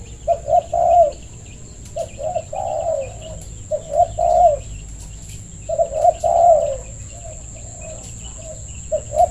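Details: Spotted dove giving its call to invite others to play: soft, low, throaty coos in short groups of two or three, repeated at irregular intervals over a constant high-pitched hum.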